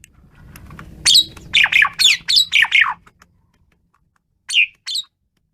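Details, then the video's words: Asian pied starling in intense, frenzied song: a rapid series of harsh, buzzy, downward-sweeping chirps over background rumble, then silence and two more sharp notes. "jalak suren menggila"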